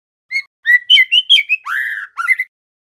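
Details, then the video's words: Young male white-rumped shama, a fledgling learning to sing: a short phrase of clear whistled notes around the same pitch, then a harsh buzzy rasp and a slurred rising whistle, ending with quick chirps. "Suara murai TROTOL belajar bunyi GACOR"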